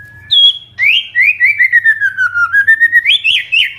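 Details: White-rumped shama, village bird, in gacor lively song: a thin high whistle, then a long run of rapidly repeated rising whistled notes that step downward and climb again at the end, over a low hum.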